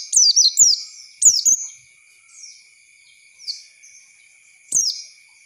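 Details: Oriental white-eye lure song for young birds: a few quick high downslurred twitters at the start, then quieter scattered notes and a final sharp chirp, with a thin steady whine in the background.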